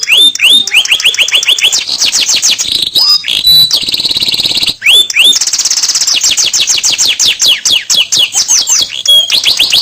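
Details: Caged canary in full, long song used as a lure recording to set other canaries singing; loud rapid trills of repeated sweeping notes, fast chattering rolls and a brief buzzy stretch, continuous throughout.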